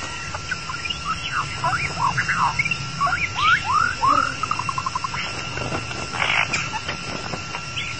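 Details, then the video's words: Long-tailed white-rumped shama song played as a lure to attract and catch the bird: varied clear whistled notes, many slurred upward and downward, then a fast run of short repeated notes. A steady tone and an insect hum run throughout. "Cara mudah memikat burung murai batu ekor panjang"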